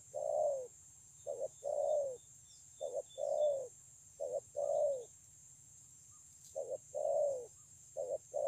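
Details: Low hollow coos from a wild-caught spotted dove recorded 9 June 2020 at Kon Long, noted for its excellent voice: repeated pairs of a clipped note and a drawn-out falling coo, with a short pause mid-sequence, steady hiss behind.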